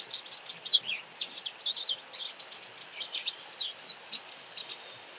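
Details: White wagtail calling very often: a lively run of high, sharp chirps and short twittering slurs in quick irregular succession over steady faint hiss.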